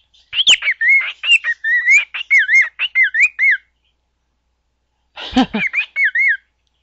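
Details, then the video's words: Pet bird singing a learned commercial jingle: quick run of clear whistled notes warbling around a steady pitch, a pause, then a shorter burst ending in two bouncing whistles; indoor setting, no other animals heard. "bird singing the tune to the vonage commercial"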